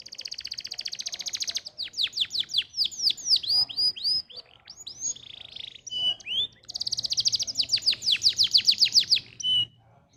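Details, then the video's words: Canary tutor song meant to make canaries sing: fast high trills, rows of quick downslurred whistles and sliding notes, a brief pause, then another long rapid trill rising in loudness. "MASTERAN AMPUH BANYAK BURUNG KENARI CEPAT BUNYI GACOR DENGAN SUARA KENARI INI"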